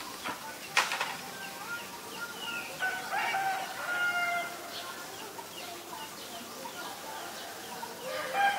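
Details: Black-collared starling, Ubon Ratchathani, Thailand, 17 April 2022: a loose medley of short whistles, squeaks and chattering notes with a few sharp clicks, spread over several seconds.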